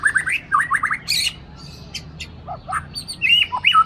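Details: Aceh white-rumped shama in a cage, a loud singer praised for copying tutor songs. It gives quick rising whistled phrases, then a short pause, then scattered high chips and a final burst of warbling notes.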